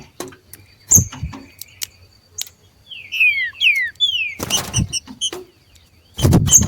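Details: Two wild green-winged saltators competing in the wild; three or four short slurred whistles sliding downward in the middle, among sharp high chips and clicks, with a burst of rustling noise near the end.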